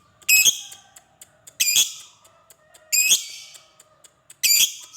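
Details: Lovebird ngekek call, used as a lure to set fighter lovebirds calling: four loud, harsh, screechy bursts spaced about 1.3 seconds apart, with faint thin whistled tones running underneath.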